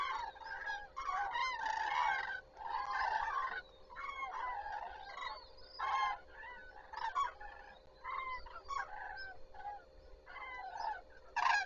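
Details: Common cranes starting the day at Zastawie reservoir on 14 September 2023: a flock gives overlapping rolling, trumpeting calls in dense bursts lasting a second or so, repeated almost continuously with brief pauses.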